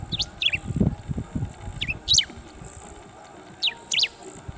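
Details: A Bristled grassbird perched in the open gives quick high double notes, a short chip then a squeaky upswept note, roughly every two seconds, with low rumbling noise in the opening second and a faint constant high hum.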